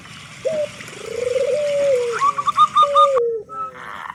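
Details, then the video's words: Zebra dove of local stock, kept for its loud voice and used to lure other doves into singing: a drawn-out low coo, then a brisk series of short higher clipped notes, with a splash-like noise at the end. "Perkutut Lokal Gacor Suara Besar Pancingan Burung Perkutut Agar Cepat Bunyi"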